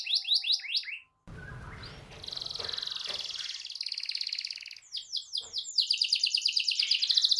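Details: Canary singing to prompt a silent canary: a few quick downslurred notes, a noisy pause, then sustained buzzy rolling trills and a loud, rapid chattering trill at the end.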